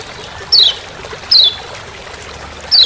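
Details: Three clean, sharply descending high chirps from a lemon-bellied white-eye, Lombok's kecial kuning, the forest "ciak ciak" call, evenly spaced over a soft hissing background.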